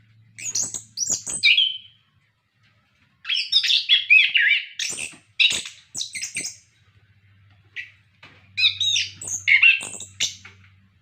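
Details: Orange-headed thrush singing loudly, a lively song used to prompt captive birds to sing: bursts of rich varied whistles and rapid chattering phrases, separated by short pauses, with a faint low hum underneath.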